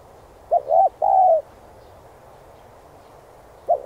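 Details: Spotted dove coo used to rouse decoy birds: one complete phrase of short hoot, arched coo and long descending coo, then quiet, and the next phrase just beginning at the end.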